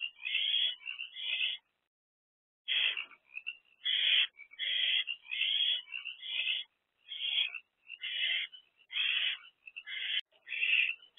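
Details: Three owlets inside a nest box, 13 April 2024: a long series of short rough hissing screeches, about one per second after a two-second pause, interspersed with faint high wheezy notes.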